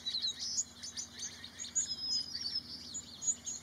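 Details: Several white-crowned sparrows at Corn Creek Field Station, Desert National Wildlife Refuge, Clark County, Nevada, on 19 March 2018 give a steady scatter of thin, high, overlapping chips and tweets over a soft background hiss.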